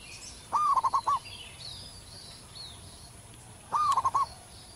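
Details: Local zebra dove in the wild delivering a big, long song: two bursts of rolling, stuttered cooing, each opening with a rising note, roughly three seconds apart, over quiet background with faint high chirps.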